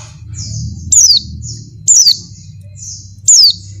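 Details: Female Oriental white-eye in breeding condition calling a male: three loud, high, sharply descending notes about every 1.2 seconds, with softer thin slurred chirps between and a low steady hum beneath.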